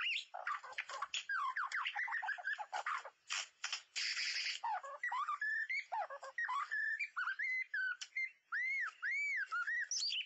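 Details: White-rumped shama song used with a mirror and MP3 playback to lure birds for trapping: a fast, varied run of clear whistled slurs mixed with harsh buzzy bursts, ending in repeated arched whistles.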